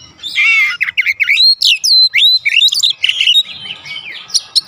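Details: Magpie-robin in vigorous 'ngeplong gacor' song, aimed at getting a reply from home birds: harsh buzzy opening note, then fast sequence of loud sweeping whistles and chirps, trailing into softer notes with light background rustle.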